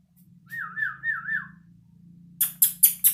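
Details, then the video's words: Yellow-vented bulbul practising its song, a smooth wavering whistle that rises and falls three times in a row, followed by four sharp, noisy bursts. "BURUNG TRUCUKAN BELAJAR BUNYI"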